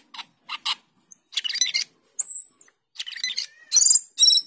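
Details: Starling (local name cucak keling or jalak keling) singing with gusto: short raspy chirps, scratchy chatter, a clear high whistled slide, then bursts of ringing, harmonic notes.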